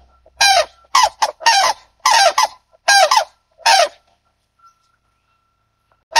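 White-naped crane giving loud, harsh, trumpeting calls in a quick burst of about eight notes over four seconds, then a pause before one more call.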